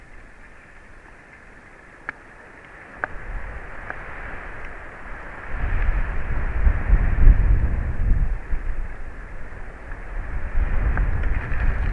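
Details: Only wind rumble and microphone buffeting with a few sharp clicks; no animal voice comes through.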